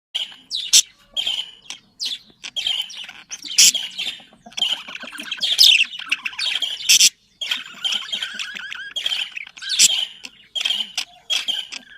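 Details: Pet budgerigars, small long-tailed Australian parrots kept as a flock, chattering to stimulate breeding: dense warbling with rapid chirps, squawks and clicks, sharp high notes bursting out every second or two.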